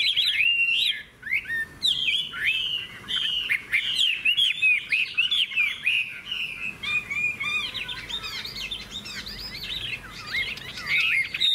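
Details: Hwamei in a singing contest, caged, with a big tail and wing display. Vigorous rambling song of quick whistled slurs and chattering notes repeated several times per second, briefly pausing once before resuming loud and varied.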